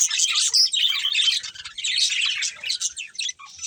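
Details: Two budgerigars, a breeding pair, in lively, jerky chatter: rapid squeaky chirps and scratchy warbles in pulsing bursts that fade out at the end.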